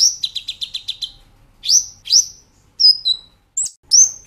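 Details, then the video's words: Brown-throated sunbird singing for a cage-bird training master, nembak ngerol style: a run of six rapid stuttering chirps, then loud upslurred whistles and a thin falling whistle. "Masteran Kolibri Ninja Gacor Nembak Ngerol"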